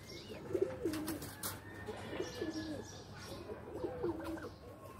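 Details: Domestic pigeons in their loft, at play, produce three bubbling, throaty coo phrases roughly a second and a half apart, low and wavering, over steady room noise.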